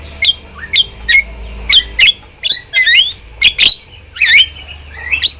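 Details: Starling delivering rapid repeated chirps, each a sharp upswept squeak about once a second, interspersed with scratchy doubled notes and a faint hum beneath.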